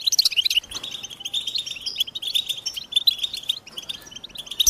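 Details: Several overlapping high, sweet twitters and chirps from American goldfinches, sung in quick, jumbled runs with short whistled slurs, keeping up a steady, busy chatter throughout.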